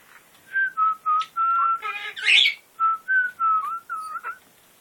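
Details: Pet military macaw, male, territorial on top of his cage and showing hormonal bluffing aggression, whistling indoors: a series of clear level whistled notes near one pitch, with a harsher rasping burst in the middle.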